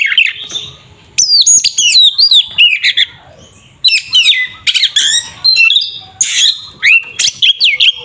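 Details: Oriental magpie-robin singing its fighting song to provoke a rival kacer: brief quiet start, then loud fast phrases of swooping whistles, stuttering chips and rasping notes.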